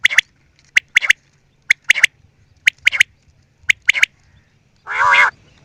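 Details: Quail repeating sharp, high clicking notes in pairs and triplets at an even pace, followed by one loud, harsh rasp.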